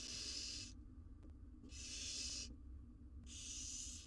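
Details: Four wild barn owl nestlings huddled in an Israeli research nest box, mother gone: three regular harsh hissing screeches, each about 0.8 seconds, spaced by roughly a second of near quiet.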